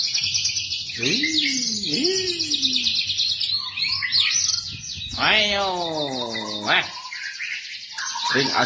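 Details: White-rumped shama song used for tutoring captive birds: continuous high, fast twittering over lower, harmonic-rich swooping notes, including a run of rapidly repeated descending strokes in the middle.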